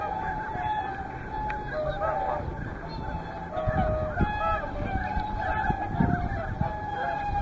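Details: Whooper swans mixed with tundra swans at Hyoko, Niigata, calling through the day: a flock gives overlapping honking, trumpet-like notes, some long and level, others short, over a steady low rumble of background noise.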